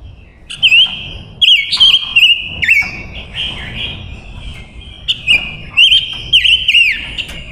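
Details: Female silver-eared mesia used as a lure to call wild males sings bright, clear whistled phrases of rising and falling notes, repeated in quick bursts every second or so over a quiet background.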